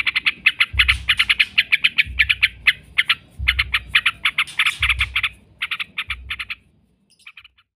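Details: Yellow-vented bulbul (trucukan) giving a long chattering 'ngekek' song, used as a lure recording to make other bulbuls answer, advised for morning and night. Fast bursts of bubbly notes run for over six seconds, broken by low dull thumps, then fade.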